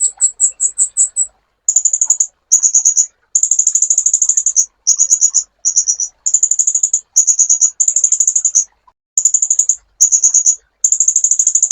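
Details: Sunbird song, a master recording for tutoring cage songbirds. It opens with a slower string of high chirps, then runs into quick, high-pitched trilled bursts separated by short silences.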